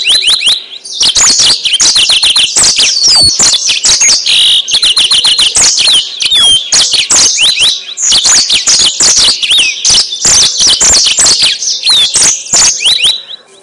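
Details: Yellow-fronted canary singing continuously as a lure for birds, a long, vigorous run of sharp chirps, buzzy trills and looping whistled sweeps at high pitch, scarcely pausing across nearly fourteen seconds.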